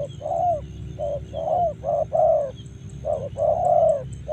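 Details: In Karawang, a spotted dove utters short and longer soft coos in a broken rhythm, roughly 39 a minute, with a background drone and a faint high-pitched whine.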